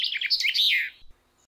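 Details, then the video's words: Common chaffinch phrase: a dense, rapid jumble of bright high notes sweeping up and down, ending in a falling flourish, then quiet. "Common Chaffinch - Bird Song"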